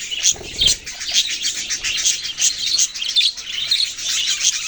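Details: Young budgerigars twitter continuously in high, scratchy chirps, with a brief flutter-like rustle near the start.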